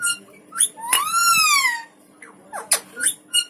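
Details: A quarrelsome Alexandrine parakeet gives one long, rich, arching screech that rises then falls, between short, sharp, harsh squawks.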